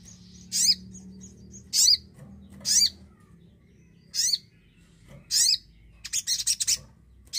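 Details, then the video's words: Javan cochoa singing as a lure for silent birds: sharp, high, down-slurred notes every one to one and a half seconds, then a quick run of stuttering notes; faint high thin whistle early on. "sogon gacor pancingan pintar burung bahan & macet bunyi"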